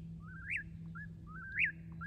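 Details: An Eastern Whip-poor-will sings at night in moonlit woods, repeating its whistled name about once a second, each phrase climbing to a sharp high accent before dropping, over a steady low hum.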